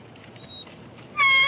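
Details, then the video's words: Wild bald eagle pair at their nest at Big Bear Lake on 1 March 2021, calling to each other during a nest shift change; a short, loud, high, harmonic-rich piercing call bursts out near the end after a quiet, faintly hissing stretch. "vocal shift changes"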